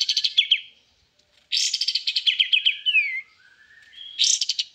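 A white-eye sings three quick bursts of high, rapid twittering chatter, one ending in a slurred downward whistle, with brief pauses between phrases.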